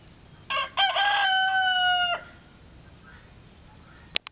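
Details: Mixed-breed rooster crowing once: a couple of rough opening notes, then a long, strained, held cock-a-doodle-doo lasting over a second before it cuts off. A sharp click sounds near the end over faint background hiss.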